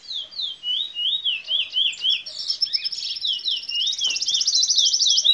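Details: Locally bred canary x red siskin mule, Fire Red, from Princes Town, Trinidad, singing the bullfinch role: a chain of high dipping slurred notes, then a fast, even, rattling trill.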